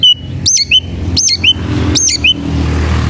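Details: Oriental magpie-robin in fighting mood, seeking a rival, repeating the same phrase three times about every three quarters of a second: a sharp high upslur falling into a lower whistled note, over a steady low traffic-like drone.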